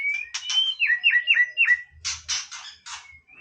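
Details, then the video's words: Clear whistled song of a white-rumped shama singing for play, a series of four downslurred whistles in quick succession followed by four harsh scratchy notes and a soft rising whistle. "นกกางเขนดงร้องเล่น Shama Bird"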